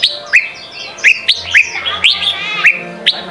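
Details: Red-whiskered bulbul, Sông kon style training song for young birds. Crisp upward-flicked chirps repeated about every half second, linked by softer twittering, over a faint hum.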